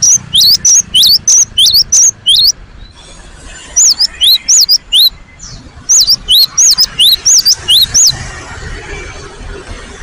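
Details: Cinereous tit singing with full energy as a lure: a fast run of high whistled notes, then after a brief lull slower wavering rising-and-falling whistles in two series, with faint background hiss.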